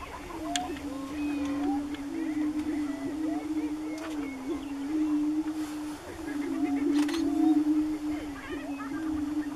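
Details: Greater prairie-chickens displaying on a lek near Wray, Colorado, in April: a steady overlapping low moaning drone with swelling booms, with short rising whoops and cackling notes scattered above throughout.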